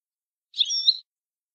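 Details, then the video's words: Syrian (Shami) European goldfinch in an approved 'language' song style, no. 31: one high, buzzy, slightly warbling phrase lasting half a second, with two brighter accents. No other sounds. "لغة حسون شامي معتمدة 31"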